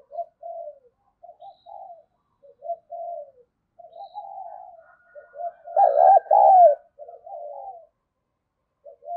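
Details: Female spotted dove cooing to excite males: scattered soft, low coo notes, then a loud, trembling, rolling double coo midway, followed by quieter coos.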